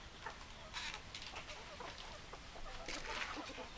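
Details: Hens clucking busily: rapid, overlapping short clucks and a few higher, scratchy squawks from several birds, with a constant hissy background.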